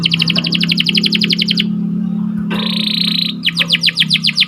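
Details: Canary song used to train and encourage breeding birds to sing: quick repeated chirping trill, a pause with steady hum, a level buzzy tone, then the trill returns.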